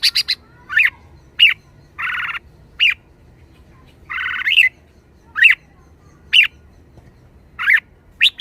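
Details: Red-whiskered bulbul in a cage, lively, giving sharp rising chirps about once a second with two drawn-out harsh buzzy squawks in between.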